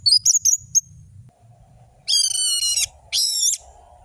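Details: Orange-headed thrush song for luring lazy birds to sing, described as having long drawn-out notes, sharp trills and fast tempo: brief high whistles, then two long, rich, steady harmonic notes over a low background hum.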